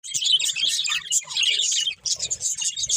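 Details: Several pet budgerigars singing while eating: dense, fast chattering warble of high twitters and squeaks, almost continuous, with a brief pause near two seconds and faint low tapping sounds underneath.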